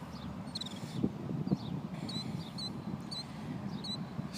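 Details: Killdeer parents protect their one-day-old chicks, calling while the mother feigns injury to lure an intruder away. The thin, high, down-slurred notes come about twice a second, faint over steady low wind or traffic rumble.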